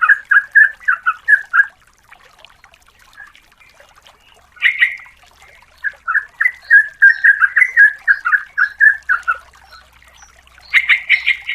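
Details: Yellow-vented bulbul female calling to the male as a lure, a run of rapid bubbling notes with a brief pause, plus a higher harsher burst near the middle and another at the end.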